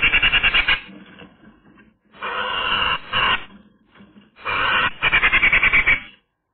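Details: On a sunny day, a Eurasian magpie on camera gives three loud, harsh rattling bursts of quick grating pulses, separated by quieter scratchy notes.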